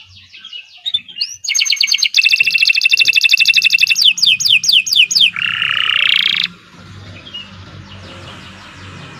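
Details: Gacor-style singing by a Kenari Nusantara canary: opening chirps, then a long fast rattling high trill and a loud buzzy roll, followed by quieter background chirping and faint hiss.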